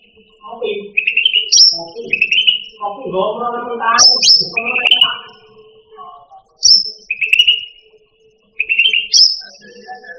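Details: Cucak rante song from a master recording for pet songbirds: repeated whistled notes alternating with short high accents, mixed with rough chattering and other harsh sounds in the middle.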